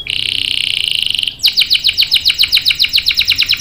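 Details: Canary song meant to provoke other canaries to answer: a steady, fast, high rolling trill, a short break, then rapid falling whistled notes repeated about six per second.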